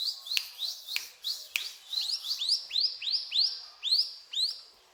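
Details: Eager cetrakan song of a brown prinia. Softer, more distant-sounding chirps at first, then a louder run of sharply rising notes repeated about twice a second that fades toward the end.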